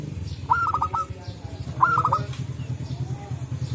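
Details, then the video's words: Wild local zebra dove calling in forest with others answering; two quick phrases of bright stepped coos, the start of a third at the end, over a constant low mechanical throb. "Suara Burung Perkutut Lokal Gacor"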